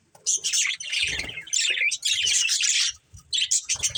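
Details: Budgerigar breeding pair chirping: busy, scratchy high warbling in long bursts with brief gaps, faint low bumps beneath.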